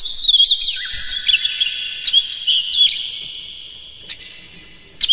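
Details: Kacer (Oriental magpie-robin) song played as a lure to provoke other birds into fierce singing: rapid bright chirps and slurred whistles, about three a second, over a constant high ringing tone, tapering to sparse notes.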